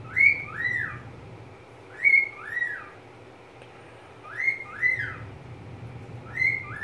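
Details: Softer paired whistles from a pet budgerigar, each note slurring down, four pairs in a regular rhythm roughly every two seconds against a low hum.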